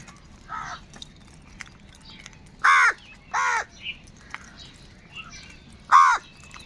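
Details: Crows in a large group fighting for food; a few loud, short harsh caws stand out at intervals above a quiet background of faint distant calls.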